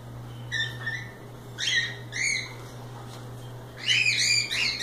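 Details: Loose cockatiels having fun: a soft chirp, then two upward-sweeping harmonic calls, and a tight cluster of overlapping squawks at the end, over a low background hum.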